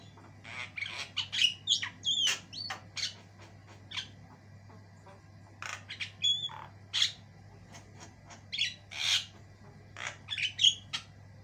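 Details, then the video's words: Continuous varied song from a white-eyed Javan myna, kept as a long training song: dense runs of grating squawks mixed with clear whistled slurs, brief breaks between phrases, steady electrical hum in the background. "JALAK KEBO MATA PUTIH GACOR PARAH"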